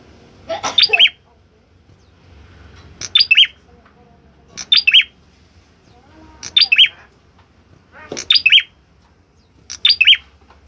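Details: Orange-headed thrush singing actively: six short bursts of high, sharp whistled notes, each phrase two or three notes long, spaced one and a half to two seconds apart over a faint low hum.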